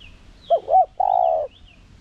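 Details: Lure spotted dove cooing to trigger other birds. A single phrase of two rounded rising-falling notes, then a long steady coo. Faint high chirps from another bird are heard.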